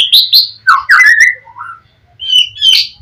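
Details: Oriental magpie-robin in gacor song meant to provoke a rival to reply: quick high chirps, then a slurred descending whistle and brief rising notes, delivered in loud short bursts.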